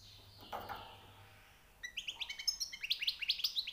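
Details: Newly caught European goldfinch: a muffled rustle first, then a crisp series of rapid rising chirps repeated steadily for about two seconds.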